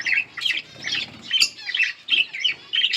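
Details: Yellow budgies give rhythmic bursts of squeaky chirps, roughly two per second, bright and slightly harsh.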